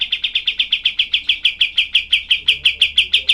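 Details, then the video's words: Cream-vented bulbul in its rough 'tembakan' style, offered as tutor song for other songbirds: a dense, sharp burst of identical high chip notes, about three per second, steady for over three seconds, with a faint low hum behind. "masteran kapas tembak"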